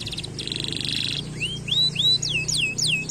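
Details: Canary song: a buzzy high trill, then a run of separate rising upswept whistled notes repeated about four times a second, over a faint low hum.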